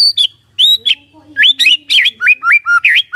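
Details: Loud white-rumped shama lure song with sharp slurred whistles and buzzy upsweeps following one another quickly, plus a few lower rising notes.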